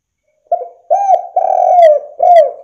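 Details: Spotted dove (derkuku) calling actively as a lure to provoke rival doves into calling; a short opening note followed by three longer, mellow coos, each swelling then sliding downward at the end.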